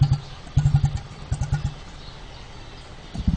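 An emu gives deep, thudding pulses in quick bursts of four or five, low and resonant like a distant engine, with a quiet pause between bursts.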